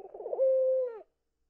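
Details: Pet Indian ringneck parakeet cooing to get attention while twitching its wings: a warbling, wavering start flows into a steady mid-pitched hooting tone that dips at the end. The room is otherwise quiet.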